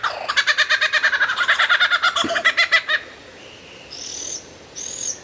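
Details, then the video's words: Lyrebird giving a rapid, even rattle of about twenty-five pulsed notes over three seconds, followed by two faint high drawn-out whistles; recording loud and clear. "suara burung lyrebird gacor"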